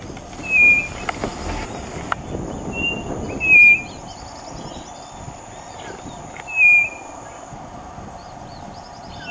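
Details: White-bellied nothura singing outdoors near a road where another of its kind walks: a clear, pure whistled note about every three seconds, three notes in all, with faint distant bird chatter and scattered clicks.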